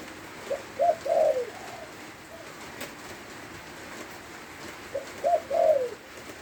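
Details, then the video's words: Spotted dove from Lopburi, Thailand, singing while rain falls: two soft, low cooing phrases of a few quick notes each, several seconds apart, under steady rain hiss. "ชมนกเขาใหญ่ เจ้าหลิวตันโยนตอนฝนตกครับ"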